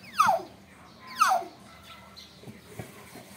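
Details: Nias hill myna, a young bird, calling noisily. Two loud, harsh, downward-sweeping notes come about a second apart, followed by faint low knocks and background hum.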